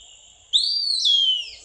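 An Eastern Wood-Pewee gives a clear, high whistled phrase in two parts, sliding up then easing down into a descending finish.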